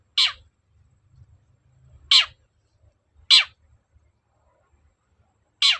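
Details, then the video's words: Long-tailed shrike calling insistently as a lure to prompt a reply from other shrikes: four loud, scratchy descending notes at uneven gaps of one to two seconds, over a soft low hum. "pancingan cendet agar nyaut gacor"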